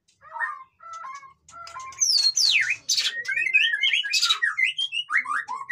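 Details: Noisy white-rumped shama song opening with short soft whistled notes and pauses, then bursting into loud sweeping whistles, steep downslurs and rapid chattering phrases.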